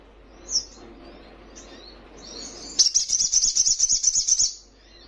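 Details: Young spiderhunter in strong song, aimed at provoking rivals: a faint high note, then a fast, even, high-pitched rattling trill lasting nearly two seconds before stopping.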